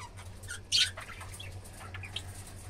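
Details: Budgerigar calling: a loud, harsh squawk among scattered chirps and chattering notes.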